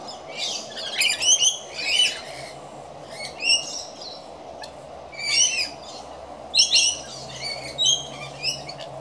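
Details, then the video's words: Several rainbow lorikeets feeding and scattering their food: clusters of shrill screeches and chirps in short bursts every second or two, separated by quieter gaps over a steady low background hum. "Lorikeets Messy Feeding"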